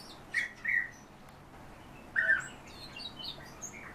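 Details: European bee-eaters kept and bred indoors, with two short burry calls near the start and another after a pause, mixed with thin, higher chirps and faint knocks later on.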